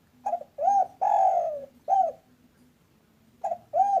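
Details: Local spotted dove calling briskly, a recording used as a lure to draw other doves into calling. Mellow, low hollow coos: a short note, then a drawn-out coo, another short coo, a pause, and a closing pair, over a faint steady hum.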